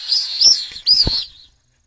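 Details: Pallid swifts fighting over a nest at a school in Jerez, Spain, give two harsh, buzzy screams, each under a second long, rising and falling in high pitch, followed by silence.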